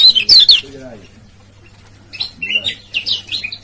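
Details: Male lemon-bellied white-eye from Lombok giving ciak-ciak lure calls used to provoke other birds: a loud burst of high, sharp chirps, a quiet gap with a low voice, then rapid, thin, rising chirps, over a steady low hum.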